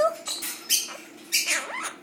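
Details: Two pet Quaker (monk) parakeets, females learning to talk, count and sing, give a rapid run of scratchy, squeaky, speech-like syllables, with brief rising whistles between harsher bursts.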